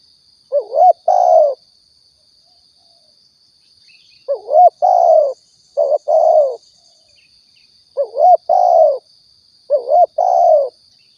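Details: Spotted dove call from Riau, Indonesia, used to lure birds for hunting: five two-part coos in loose groups, a twisting rising note then a fuller falling croo, with pauses between, over a faint constant high hum.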